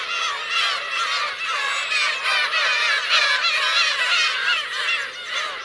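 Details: Black-tailed gulls, parents with chicks, on the Kurosaki coast of Teuri Island, Hokkaido, 17 June 2021: a dense colony chorus of overlapping nasal, mewing calls, rising and falling, many birds calling at once without pause.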